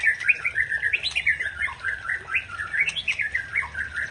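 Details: Continuous chattering warble from a white-rumped shama (Murai Aceh) provoking a rival, made of quick bubbly notes rising and falling around a middle pitch with steady rhythmic pulses.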